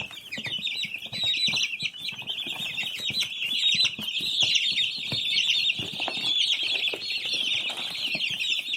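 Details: Many baby chicks peeping continuously: a dense chorus of high, thin, overlapping chirps that never pauses, with faint scratching and rustling in the background.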